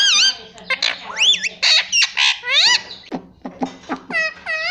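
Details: Talking pet ringneck parrot at home repeating speech such as mummy; rapid chain of high, swooping whistled syllables and rasping notes, ending in several short rising-falling whistles.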